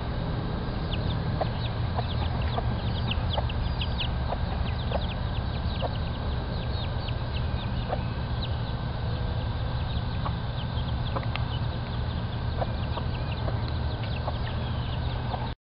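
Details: A crowd of chicks roaming a nursery keeps up continuous rapid, high, thin peeping, scattered and overlapping throughout, set against a loud steady low-pitched hum.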